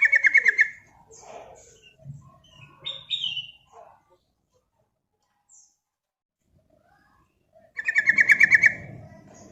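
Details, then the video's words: Sooty-headed bulbul, called trucuk in Java, delivering lure and tutoring song with 'ropel' trills: a fast rattling trill opens, varied chattering and a rising whistle follow, a short pause, then another quick rattling trill. "SUARA TRUCUK GACOR UNTUK PANCINGAN DAN MASTERAN"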